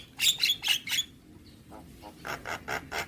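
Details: Javan myna singing a harsh, chattering song: a run of four loud buzzy squawks, a pause, then a second burst of five rasping notes at a steady beat.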